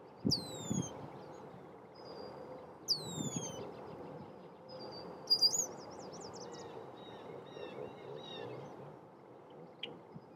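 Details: Male red-winged blackbird sounding a warning as intruders approach its nesting area; two sharply falling high whistles, then a quick run of rapid high notes, with softer calls trailing off against a steady low background hum.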